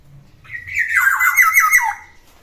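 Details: Black-naped oriole, ten years old, singing actively: a single rich, fluty phrase of looping, warbled notes that slide downward at the end, lasting about one and a half seconds, with a faint low hum indoors.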